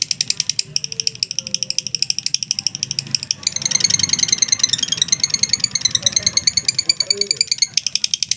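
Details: Mentil lovebird ngekek: rapid high chattering trill with clear pulses, shifting to a denser, more rasping section midway, over rattling background noise and low murmurs.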